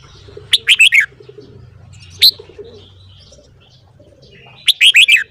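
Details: A red-whiskered bulbul sings at dawn, giving two lively phrases of four or five chirpy, bubbling notes with a single sharp note between them; soft background rumble.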